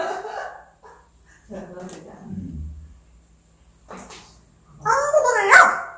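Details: African grey parrot talking: bursts of speech-like voice with rich stacked harmonics, a low gravelly stretch in the middle, then a loud higher-pitched phrase with wavering tones near the end.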